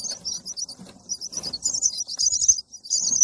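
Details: Chick chirping for feed, with high, rapid, scratchy chirps in quick clusters rising in intensity, and soft rustling noises mixed in.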